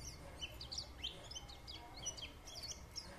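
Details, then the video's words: White-eye singing a lively warbling song of quick, thin, high-pitched chirps and slurred notes, tumbling over one another in a fast stream, with a low steady background hum. "Nghe Khuyên líu lô"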